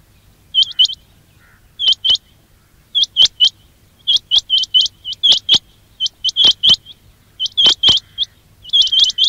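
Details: Loud quail calls meant to attract quail for trapping. Tight bursts of two to four rising, whistled flicks repeat steadily, with faint low hum behind them.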